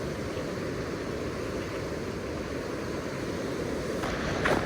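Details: Constant roar of wind and surf, with a brief rustle near the end and no animal calls.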